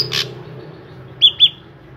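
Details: Drongo heard in a recording meant to lure other drongos into singing: a harsh broadband burst, then two sharp high chirps with falling tails about a fifth of a second apart, over low background hum.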